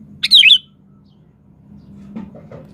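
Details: Sooty-headed bulbul singing vigorously, one quick burst of loud, bubbly whistled notes, then near silence with a low background hum and a few faint knocks.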